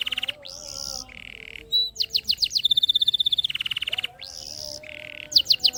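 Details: Canary song used as a lure to stimulate lazy canaries to sing: varied clean whistles near steady pitch, rapid trills of repeated sharp notes, a long buzzy rolling trill, and repeated descending chips, loud and continuous.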